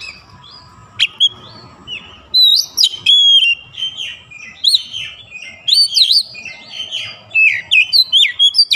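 An Oriental magpie-robin sings loud, varied phrases of sweet whistles, with slurred rising and falling notes delivered in quick bursts over a faint background hum.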